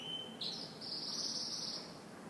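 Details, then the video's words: Canary in the morning giving a brief high whistle, then a sustained, rapidly trilled note held for over a second. "Canary Morning Singing"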